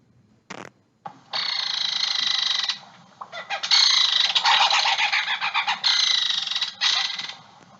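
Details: Female belted kingfisher, disturbed and angry, gives loud, harsh, dry, high grating rattles in long bursts of rapid clicks with brief pauses, typically uttered when flying along a pond or river bank.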